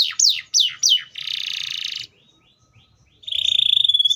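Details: Atlantic canary giving three sharp falling whistles and a long buzzy rattle, a short pause, then a fast, even trill on a single high pitch.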